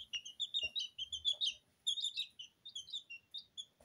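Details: Two-week-old Porcelain and Lemon Sablepoot bantam chicks chirping indoors in a kitchen while bathing in their feed: a busy overlapping stream of high, thin peeps and short rising cheeps from several birds, with a few soft taps.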